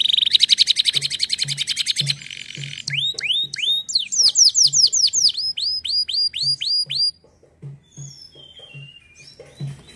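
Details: Canary song opening with a fast buzzy rattle, then long series of swooping rising and falling whistled notes, ending in quieter scattered chirps; soft low thumps recur throughout.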